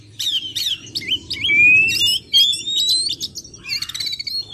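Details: Oriental magpie-robin lure recording used to draw wild birds closer: high whistled phrases with long, slowly rising pure notes, sharp chips and a burst of rapid clicking notes near the end, over a faint low hum.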